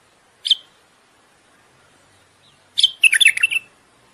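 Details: Common bulbul courting song aimed at stimulating the female to breed: a lone high chip, then after a two-second pause a fast, jumbled phrase of bright warbled notes lasting under a second.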